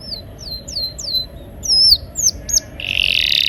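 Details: Canary song meant to prompt silent canaries to sing: a few spaced, slurred high whistles, then a harsh buzzy burst at the end.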